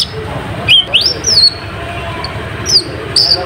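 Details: Lure song of a kolibri ninja (konin), meant to provoke rival birds: piercing high upslurred whistles and thin chirps in short separated bursts, with faint low background hum.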